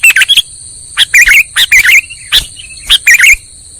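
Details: Lure call of sooty-headed bulbul for trapping: clusters of sharp chirped notes separated by short pauses, accompanied by a steady high-pitched ringing tone throughout.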